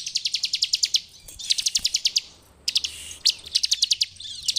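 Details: Rapid, sharp repeated chips from a bar-winged prinia in full ngebren style, a master song for training, delivered in bursts of about ten notes with a brief pause and a few scratchy notes between.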